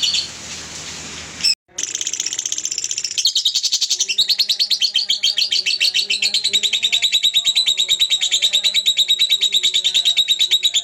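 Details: Lure sounds of young lovebirds: after a brief noisy opening and a short gap, a long, rapid, buzzy high chatter runs continuously, with fainter lower clicking notes beneath it.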